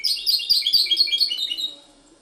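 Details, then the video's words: Ksar el Kebir goldfinch hybrid pouring out a rapid burst of bright, high twitters and trilled notes that trail off into quiet after under two seconds, with a few soft taps behind. "mixto jilguero ksar el kebir"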